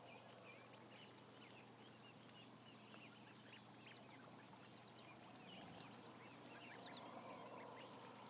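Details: Roughly a thousand ducklings filmed by a continuous camera; rapid high peeps, about three or four a second, run through a constant rumble and hum, getting slightly louder toward the end.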